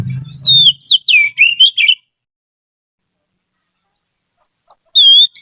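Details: Trained white-rumped shama, a song tutor bird, delivers a quick series of whistled, twisting notes over low rumbling, falls silent for about three seconds, then starts another clear whistle.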